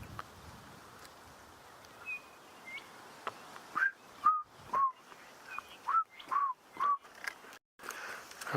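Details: Chinspot Batis, tiny birds, calling in thick drainage-line bush on a morning safari drive, giving clear, slightly falling whistled notes about twice a second in a short run, with fainter higher whistles, some in the distance, and soft bush sounds.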